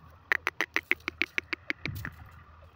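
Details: Female grey francolin, desi teetar: a series of about eleven sharp, evenly spaced notes repeated roughly every 0.15 seconds, then a rougher trailing sound, with a faint low hum behind.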